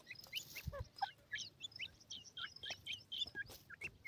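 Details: Grey francolin chicks with white plumage playing with their feed, giving a busy stream of brief high chirps, some rising, others dropping, with a few sharp clicks.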